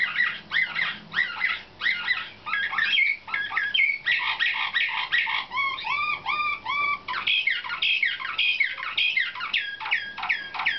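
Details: Nightingale-type canary (slavujar) selected for competition, in training: dense song of rapid repeated whistled notes and rising-falling trills, phrases changing every second or two, with brief pauses between bursts.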